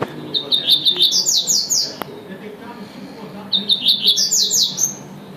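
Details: Double-collared seedeater in tui-tui style, two long phrases of quick high chips accelerating into bright sweeping notes, with a sharp click between them and a low hum underneath.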